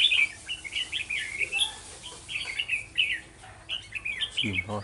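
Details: Red-whiskered bulbul singing as a decoy during trapping on 11 November 2018: continuous chirpy phrases of short slurred whistles, irregularly spaced, ending with a low rattling knock.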